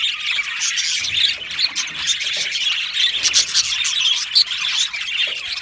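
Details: Australian budgerigars in a colony, singing and chirping happily: overlapping warbled phrases and squeaky chirps form a continuous high chorus, with a few louder squawk-like notes standing out.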